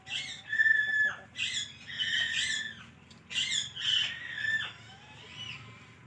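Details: A pet parrot talking: several short, squawky, harmonic speech-like phrases delivered in bursts with brief pauses between them, over a faint low background hum.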